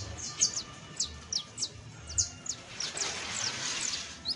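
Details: Saffron finch giving a few sharp, high descending chips, partly blurred later by a burst of hissing noise.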